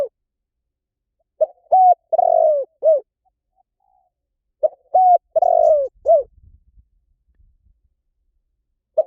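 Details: Spotted dove calling with two mellow cooing phrases, each a short note, a drawn-out burry coo and a dropping last note, spaced about three and a half seconds apart in near silence.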